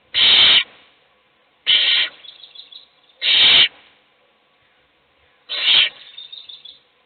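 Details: Owl nest box with an adult feeding one chick while the rest sleep; four loud, harsh hissing screeches in quick irregular succession, each about half a second, trailing into softer rasps.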